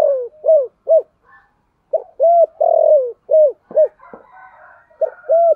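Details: Spotted dove used as a decoy to lure wild doves, in the deep 'thổ' voice style; loud repeated coos in phrases, short hooted notes and one longer falling coo, a pause, then further phrases.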